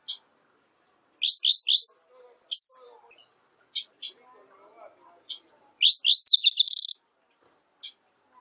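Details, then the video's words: Black siskin singing sharp, high descending chirps in small groups. A fast, even buzzy rattle comes near the end. Faint low murmuring sounds in the background. "Negrillo Boliviano! Llamado! Sonido! Cantando! - Black Siskin Song - Spinus Atratus"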